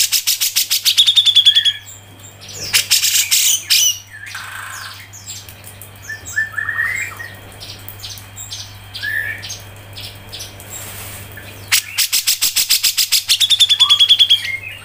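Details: Grey-cheeked bulbul (cucak jenggot) song, 'mbeset ngepik rapet': bursts of fast clicking notes with a high whistle at start and end, and softer scattered chirps and whistles between, over a steady low hum.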